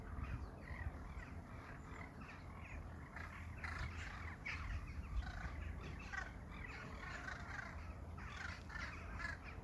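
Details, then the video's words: Crows cawing: a steady series of harsh, overlapping calls fills the stretch, some louder and closer than others, over a constant low rumbling background noise. "Sounds of Crows"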